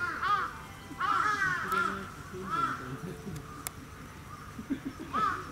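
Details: Sarus crane at Gunma Safari Park bird park, Gunma Prefecture, Japan, filmed 10 November 2018: loud trumpeting calls in repeated bursts, rising-and-falling harsh notes about once a second, with steady low background hum.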